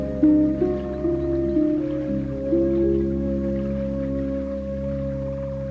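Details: Calm new-age music of sustained chimes and soft mallet notes, with no animal voices.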